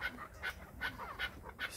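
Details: Owner-prompted chukar partridge from Krasnoyarsk delivering a quick burst of five rasping chuk notes, slightly uneven in spacing, loud and close.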